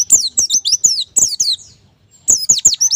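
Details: Captive white-eye tutor recording for getting birds to sing: rapid high, sweeping slurred whistled notes in two bursts split by a brief pause, each note dropping in pitch.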